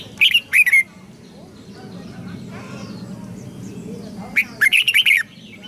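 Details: Red-whiskered bulbul singing to help young birds learn song: two short bursts of bright warbled notes near the start, a longer run of quick chirpy phrases near the end, with a low steady hum beneath.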